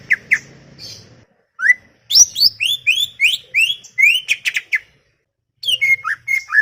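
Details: Chattering greater green leafbird song, loud and clear: a few sharp opening notes, a pause, then a rapid tumbling burst of rising whistled slurs and clicks, ending with sliding notes after a short gap.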